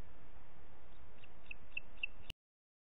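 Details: Booted eagle in Parc Natural dels Ports, 30 June 2021, late morning: five brief, piercing high notes within about two seconds, growing slightly louder, before the recording cuts off abruptly; faint low background hiss throughout.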